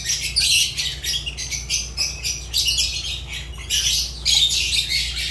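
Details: Fischer's lovebird, a pet bird, giving piercing, raspy chirps and squawks in quick dense bursts, nearly unbroken across five seconds, with a faint steady low hum.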